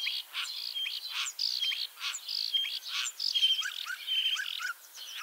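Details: Common starling in Liepāja, Latvia, wearing a Lithuanian metal leg ring, singing in spring 2023: a dense medley of buzzy phrases, clicks and short whistles, with a string of brief upward notes near the end.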